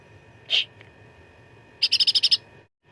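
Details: Black-headed Bulbul, locally cucak ranting, in gacor fighting song used as contest-bird training material: one slurred high note, a pause, then a quick even rattle of about seven bright notes.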